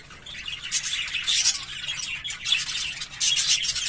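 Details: English Fallow budgerigars, both visual and carrier birds, in steady buzzy high chatter with sharp squeaky notes, swelling in three or four waves over four seconds.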